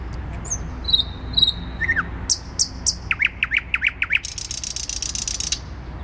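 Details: A thrush nightingale sings in downtown Warsaw on 12 May 2020, moving from high whistled notes through sharp clicks to a quick series of falling chirps and a long rasping rattle, with low urban rumble.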